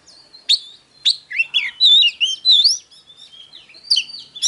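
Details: Oriental magpie-robin opening with spaced, sharp single notes, then building into a warbling run of fluted, sliding whistles. A final pair of crisp high notes follows a brief pause.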